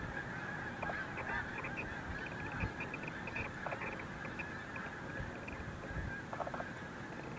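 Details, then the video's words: Snow geese at Montezuma, New York, in March, a large flock erupting into flight; a distant, steady chorus of many short honks over a broad low rumble. "Montezuma, New York erupting snow geese"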